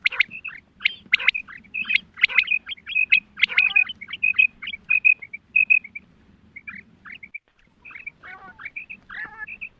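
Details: Special hunting calls of female quail: a dense run of sharp buzzy bursts and clipped whistled notes that thins after about six seconds into sparse paired whistles over a low hum.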